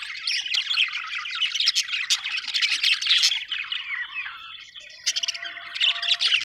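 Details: Budgerigars chirping: a dense, continuous chatter of warbled, scratchy high notes and squeaks from several birds, easing briefly before another burst of busy twittering.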